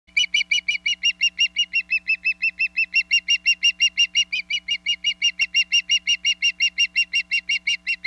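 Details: Female osprey on a Hog Island nest, watched by live cam on 27 April 2022, calling to her mate, who brings a big chunk of fish: rapid, even chirps repeated nearly three times a second, steady low hum underneath.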